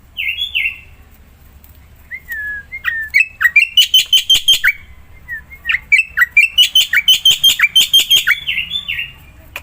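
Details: Black-winged myna singing vigorously, used to prompt a silent myna into song: a few slurred whistles, then a long run of rapid, harsh, buzzy repeated notes, about three per second, with brief pauses.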